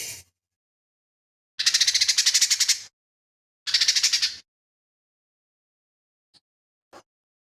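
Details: Lesser green leafbird in energetic song, its material drawn from imitations of other birds. Two harsh, rapid rattling bursts are heard, followed by silence and faint clicks.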